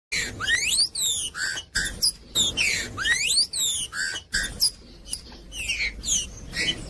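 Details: Green-winged saltator singing, played to warm up cold birds and train chicks: dense bursts of loud slurred whistles and rapid rising sweeps, with short pauses between phrases.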